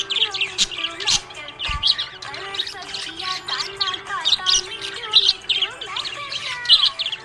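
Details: Budgerigar, happy, chirping continuously: a busy stream of warbling whistles, short rising and falling notes and scratchy chatter with no pauses.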